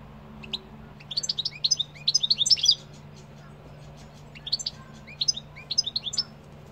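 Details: Singing European goldfinch delivering rapid, tinkling twitters in dense bursts, a long jumbled phrase followed by a pause and then shorter chattering runs, all high and bright over a steady low background hum.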